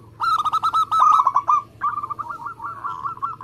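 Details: Local zebra dove singing hard in a speedy, compact style: a fast, bouncing string of about ten staccato coos, then a second, softer rolling run trailing away.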